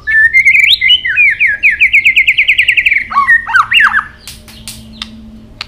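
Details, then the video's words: White-rumped shama fighting song: a rising whistle into a long fast series of repeated downslurred notes, a jumbled warbled phrase, then scattered tak clicks. "Chòe lửa tạch đập đuôi kích thích lửa lên lửa rất nhanh kích chim hót đấu hiệu quả"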